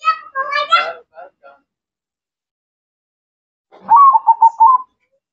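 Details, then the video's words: Zebra dove, called perkutut, sings one low, stuttering cooing phrase with held final notes after a short burst of human speech. "Perkutut Mocca Gacor"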